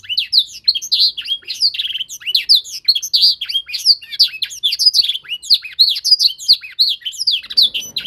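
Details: Young canary in singing training, learning to copy tutor sounds: a continuous, rapid, high warbling song of sweeping up-and-down notes and chirps, with varied phrases tumbling one after another, and a faint rustle near the end.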